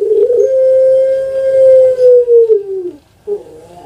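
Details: Drawn-out coo from a caged puter pelung, a Javanese dove noted for its long voice. One smooth tone holds for over two seconds and slides downward, followed by a short quieter note.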